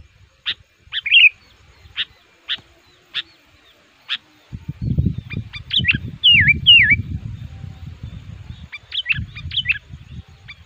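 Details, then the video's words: Sooty-headed bulbul used to lure wild males in the forest, described as agitated and actively pressing a rival. Spaced sharp chips, then a few looping whistled phrases, with loud low rustling and handling noise in the middle. "Burung Kutilang Pikat Ngamuk,Gacor Aktif Menekan Lawan"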